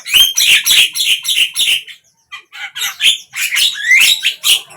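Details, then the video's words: Javan myna song, morning, midday or evening: quick run of harsh scratchy notes with rising whistles, a brief pause, then more rapid rasping chatter. "Jalak kebo ,pagi, siang,sore"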